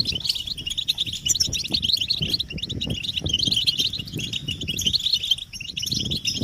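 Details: Group chatter of European goldfinches, offered as mating and readiness calls to draw a silent male into song; bright, jangling twitters pour on without pause from several birds at once, above a low, uneven background rumble.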